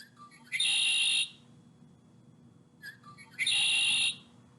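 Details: Red-winged Blackbird, a species found near swamps, lakes and ponds, giving its song twice: a few soft introductory notes, then a bright, buzzy, rattling trill lasting under a second.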